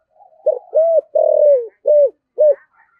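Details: Decoy spotted dove giving a 'thổ'-voiced coo phrase: a soft lead-in note, then four firm, deep coos. The long middle coo slides downward. Faint higher chirps sound in the background.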